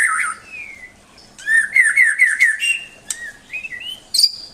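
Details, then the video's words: White-rumped shama song: a loud opening note, then a sliding whistle, then a dense run of rich warbled phrases. Short rising whistled notes follow, ending in a sharp high note. "Kicau murai"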